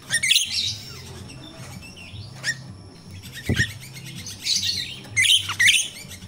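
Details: Myna known as jalak rio-rio, a natural recording meant as a lure for untrained captive birds: scratchy bursts and a soft whistle, a sharp knock midway, then harsh chattering notes, over a low hum.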